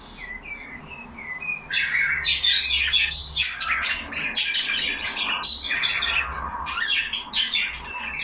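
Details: Budgerigars kept as pets in a cage, chattering together; a few soft chirps open, then a loud, crowded stream of rapid warbling twitters and scratchy notes from several birds.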